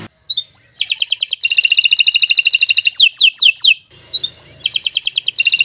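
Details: Canary singing a long training song for other birds: rising whistles leading into fast sustained trills, a few descending slurs, a brief quiet gap, then more rapid trilling.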